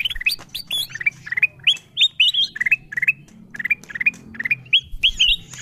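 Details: Ruby-throated bulbul lure recording aimed at wild birds: chattering runs of rising, flicked whistles and brief chirps, dense and overlapping, with a low hum beneath.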